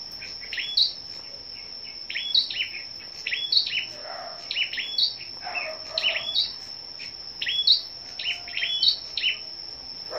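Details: Scarlet-backed flowerpeckers singing competitively on the morning of 10 May: a brisk series of high, clipped chirps roughly every half second, with brief lower murmurs midway and a steady high whine throughout.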